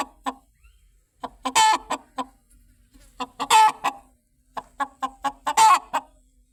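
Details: A chicken clucks steadily in short staccato runs, each run building to a loud, rasping, drawn-out squawk, three such squawks in all.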